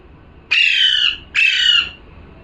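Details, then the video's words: Two long, harsh parrot squawks, rough and strongly overtoned, the second following the first after a brief pause. "#parrot🦜🦜🥰 #calling sound"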